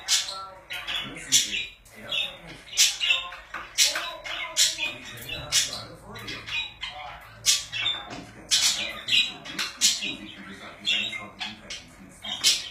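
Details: Budgerigars kept as pets keep up a continuous chattering warble, scratchy chirps and squeaks tumbling rapidly, with louder screechy notes recurring throughout.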